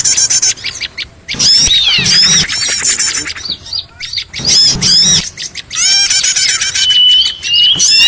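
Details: Small birds calling in a trapping lure, with bursts of shrill twittering and squawks separated by short gaps, and a long thin whistle near the end.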